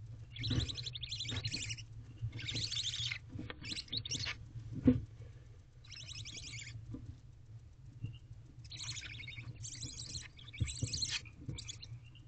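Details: Hungry barn owl owlets in a nest box on a night in mid-April 2023 while the mother feeds them. Repeated rasping, hissing screeches, each about a second long, come in clustered bursts with short pauses, over a low background hum and occasional thumps.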